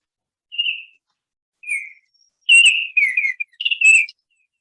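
Baltimore Oriole song: a few clear, flute-like whistled notes, short and separate at first, then a richer run of slurred whistles toward the end.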